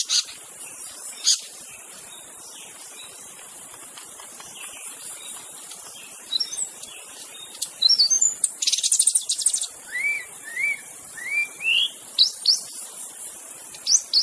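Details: White-rumped shama singing in its natural surroundings, a lure for shamas that stop singing: sparse sharp notes, a buzzy burst midway, then a series of rising whistled slurs, with steady insect drone.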